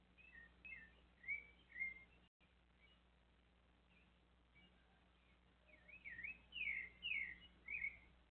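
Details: Sabiá thrush visited by a small monkey: faint scattered whistles at first, then a louder run of swooping, looping whistled phrases toward the end against soft background hiss.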